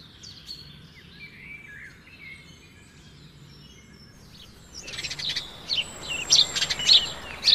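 Nightingale song: soft, varied whistled slurs and chirps for about five seconds, then a louder, harsher stretch of rapid clicks and rattling notes.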